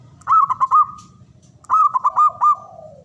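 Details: Male zebra dove, local Javanese perkutut, singing: two loud bursts of rapid, bubbling cooing notes, four or five per phrase and slightly falling, about a second apart. Faint low hum underneath.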